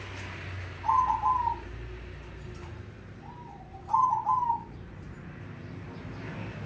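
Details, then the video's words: Mocha crossbred zebra dove in vigorous song, two short rolling coo phrases about three seconds apart, each made of quick trilled notes, over steady low background noise. "Perkutut Crossing Warna Mocaa Gacor"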